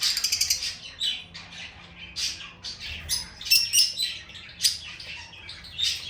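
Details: High, sharp squawks and chirps from a lovebird come in uneven bursts, some rapid and rattling and others single and piercing, with brief pauses between.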